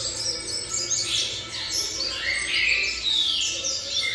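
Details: Seven-month-old young variable seedeater, singing right after arriving during a visit. High, fast twittering with sweeping and sliding notes, heard over a constant loud background hiss.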